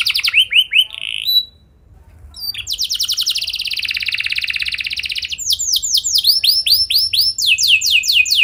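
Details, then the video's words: Canary singing a lure song meant to get other canaries singing with long rolls: quick falling trill notes, a brief pause, then a long fast buzzy roll that turns into bright downslurred whistles. "Pancingan Burung Kenari Biar Gacor Ngeroll Panjang! Pasti Nyaut Kenari Manasaja"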